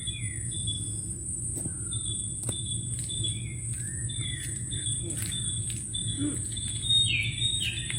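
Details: Birds singing in the Sundarbans forest: scattered short whistled notes and downward-slurred chirps from several birds, over a steady high-pitched insect drone and a low background hum.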